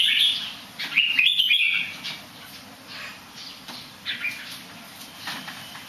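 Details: Bird said to sing well despite a slight somersaulting habit, giving bright chattering warbles in the first two seconds, then softer scattered chirps fading over a constant background hiss.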